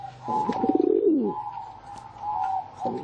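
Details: Low pulsing coo from a pigeon, a rolling throaty phrase that rises then drops away, followed by a steady higher whine or hum running through the rest, with the start of another coo at the end.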